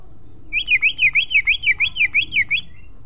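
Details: Oriental magpie-robin song in the ngeplong style, used as a lure to make other magpie-robins spread their tails: a steady run of about ten loud whistled notes, each sliding up and then down, roughly four per second, over low hum.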